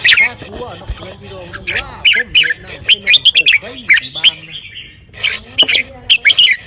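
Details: Skilled singing of a red-whiskered bulbul, with clusters of sharp, bright whistled notes in rapid bursts, mixed with people talking in the background.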